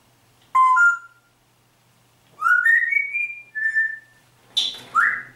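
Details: Grey parrot whistling a tune from the pop song Atemlos durch die Nacht: pure whistled notes stepping upward and held, a lower held note, then a harsh squawk and a rising whistle, indoors.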